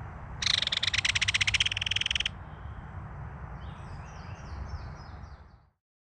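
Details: Belted kingfisher adult and young calling to each other at a mud-bank nest during feeding. A single loud, dry rattle of quick pulses lasting about two seconds, followed by faint, thin chirps and a low background rumble.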